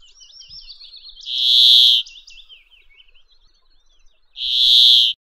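A Brambling gives two long, harsh, nasal wheezes about three seconds apart, with soft twittering and warbled notes in between.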